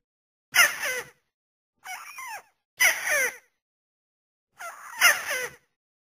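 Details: White-browed crake (Poliolimnas cinereus) giving harsh, squeaky chattering bursts of about half a second, repeated with pauses; a recording used as a lure call for hunting with nets and snares.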